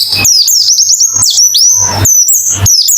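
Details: Fast 'ngalas' white-eye song for competition-style therapy: dense, piercing, high chirps sweeping up and down in quick succession, with short gritty noise bursts and a faint low hum beneath.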